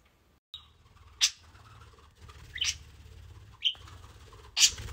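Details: A pet budgerigar in its cage, possibly talking to its toys, gives a few sharp, scratchy chirps and short high whistles, spaced a second or so apart, over a low background hum.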